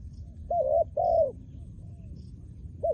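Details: Trained spotted dove used as a decoy bird, cooing two full mellow hooting notes in quick succession, then a fainter third and the start of another, against low background rumble.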